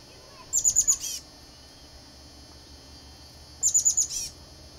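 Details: Chestnut-backed chickadee at a nest holding eggs and young in a flicker box, giving two short series of high, thin, rapid notes about three seconds apart over a steady background hum.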